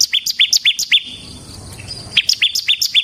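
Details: Ciblek semi (bar-winged prinia), a kept bird recorded as a lure and training master: bright, high chirps repeated about four per second, a short pause, then the same rapid chipping series resumes.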